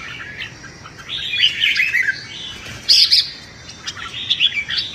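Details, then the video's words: Red-whiskered bulbul, caged, in competitive morning singing meant to train its voice and provoke a rival: bright whistled warbling phrases in bursts, with sharp high notes near the middle and a quieter stretch between phrases. "Chào Mào Hót Đấu - Chào Mào Hót Sáng Luyện Giọng Kích Bổi Hót Đấu Căng Lửa"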